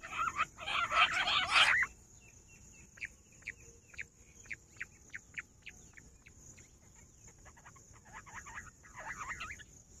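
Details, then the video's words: Rock bush quail (Perdicula argoondah) heard on 18 July: an opening harsh, dense chattering burst, then a run of short sharp chirps at a loose, uneven pace, closing with another brief chattering flurry over a steady thin high hiss. "Nonstop Voice Perdicula argoondah Rock bush quail"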